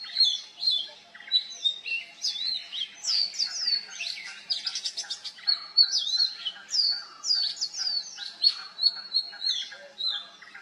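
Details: Continuous varied song of an Oriental magpie-robin copying other birds: dense whistles, churring rattles and slurred notes tumbling one after another.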